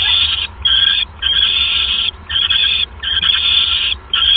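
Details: Owl around 11:37 pm on 28 January 2015, with a male delivering a mouse to his mate. Loud, grating, hissy screeches repeat with short breaks, about one every second or less.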